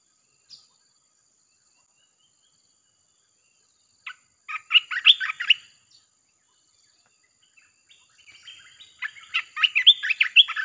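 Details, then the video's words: Red-whiskered bulbul, rapid 'chopping' song used as a lure for wild birds: after a lone note and a few seconds' quiet, two dense bursts of lively, jumbled whistled chirps. "เสียงนกกรงตาแดงEp.158 สับไม่หยุด!! เปิดล่อนกป่าเข้า100%"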